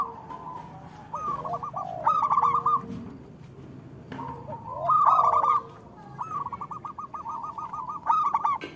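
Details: Local zebra doves as a prompt for silent doves: drawn-out rolling coos building into a loud stuttered flourish, repeated twice, with lower curved notes beneath.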